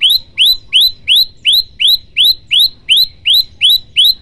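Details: Olive-backed tailorbird (prenjak lumut) in a tutor recording for training songbirds, delivering its 'tembakan' burst song: about twelve sharp rising whistled notes, evenly spaced around three per second, loud and clean over a quiet background.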